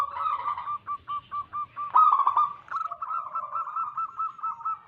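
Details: Zebra dove song from a local wild bird, used as a lure to attract wild doves: short, low cooing notes repeated in a rapid bouncing series, with a louder rolling burst near the middle.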